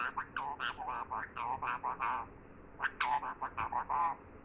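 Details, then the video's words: Talking parrot (tota, mitthu) giving a rapid string of nasal, speech-like syllables in two runs, each sound short and clipped, against a constant hiss. "Bolne wala parrot"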